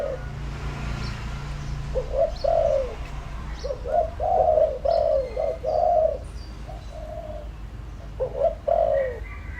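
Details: Spotted dove used as a decoy to lure wild doves, cooing in quick succession: short lead-in notes followed by drawn-out, falling, hollow coos, with faint chirps from other birds.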